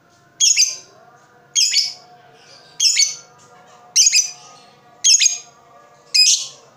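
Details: Harsh, high lovebird chirps from a lure recording for stimulating other lovebirds to sing: six loud bursts repeated about every second, some doubled, over a faint background hum.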